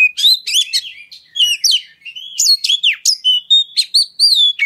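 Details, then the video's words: Continuous oriental magpie-robin song meant to provoke other birds into singing, a fast medley of whistles, slurred upsweeps and downsweeps and scratchy chattering notes without pause. "Pancingan Suara Kacer Segala Medan Dan Cuaca"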